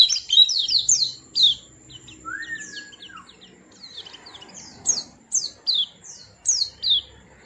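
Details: Small white-eye delivering quick runs of sharp descending twitters, then a lone lower drawn-out whistle and spaced high chirps near the end, each dropping in pitch.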